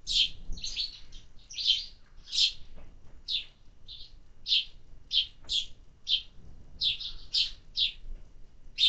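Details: Summer sparrows at a feeder utter evenly spaced sharp chirps, roughly two per second, each short and harsh, against a quiet background.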